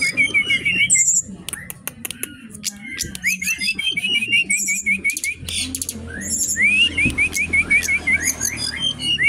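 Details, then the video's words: Brown-chested jungle flycatcher, Bali origin, singing loudly in a bird shop: tumbling runs of looping whistled notes, ending in a swift rising series, over busy clicking and high trills from neighbouring birds. "Burung SRDC ori Bali gacor dor"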